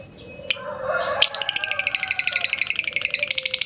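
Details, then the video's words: Lovebird in the morning giving a long ngekek trill, used as a lure recording: after a few sharp notes, a rapid, evenly pulsed high chatter of about four notes a second runs to the end. "Pancingan suara burung lovebird pagi pagi ngekek panjang"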